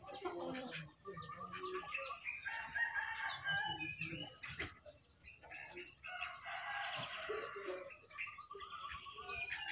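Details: Perched atop its cage, a jongkangan delivers a lively, fast song of mixed high chirps, buzzy bursts and rapid rattling trills, with the phrases broken by short pauses.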